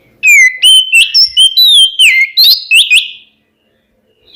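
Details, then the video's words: Oriental magpie-robin song played to provoke rival birds into answering: a rapid run of loud clear whistled notes, sweeping and slurred, about ten phrases in three seconds, then silence. "SUARA BURUNG KACER KEMBAR, bikin lawan EMOSI ikutan nyaut"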